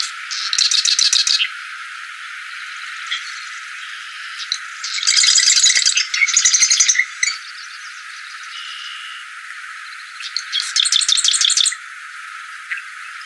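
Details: A very vocal plain prinia gives three bursts of rapid, buzzy, insect-like rattling notes, each about a second long and high-pitched, separated by quieter pauses.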